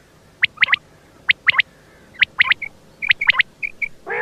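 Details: Quail call made of sharp, high whistled notes in tight pairs and triplets, separated by short pauses, followed by brief clipped whistles and a rough burst at the close.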